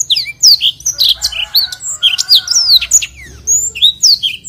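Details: Blackthroat singing energetically in a long rolling style, used as a tutoring recording for other birds: a dense, unbroken stream of quick high whistled notes and sharp chirps, many sweeping up or down, with a faint low hum beneath.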